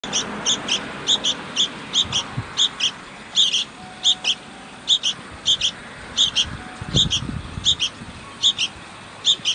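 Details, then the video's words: Sooty-headed bulbul nestlings begging as their mother brings food give thin, high, scratchy paired cheeps, repeated steadily about every half second, over a soft background hum. "Sooty-Headed Bulbul Feeding Hungry Nestlings"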